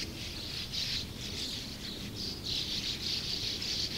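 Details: Colony of over 100 sand martins chattering nonstop: dense, buzzy, high twitters in overlapping waves, loudest in rapid bursts, with only faint background noise.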